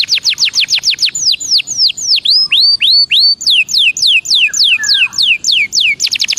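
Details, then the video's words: Belgian canary singing loud, clear whistled slurs: quick falling notes give way to slower swooping rising-and-falling phrases, then the pace quickens again into rapid short notes at the end. "CANTO DE CANARIO BELGA PARA ESQUENTA"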